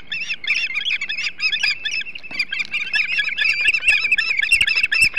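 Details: Ospreys feeding on a large flounder at their Hog Island nest on a July morning in 2016: steady, high squeaky chirps in quick overlapping series, moderately loud and continuous throughout.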